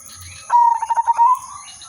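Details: Zebra dove, silver udanmas variety, in its melodious decoy song: a single fast burst of about eight pulsed coos on one pitch, lifting slightly at the close, over a faint constant high-pitched whine.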